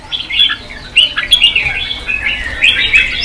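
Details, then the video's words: Red-whiskered bulbul singing, played to stimulate fighting and train a young bird's voice; overlapping warbled chirps and slurred whistles with a busy, chattering texture. "Kích chào mào bổi đấu, luyện chào mào sổ giọng, kích chào mào căng lửa"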